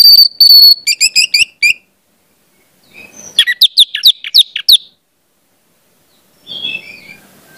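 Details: Orange-headed thrush lure song aimed at spotted juveniles: a high whistled opening with rapid chattered notes, a pause, a second fast run of downslurred whistles, then quiet soft warbling.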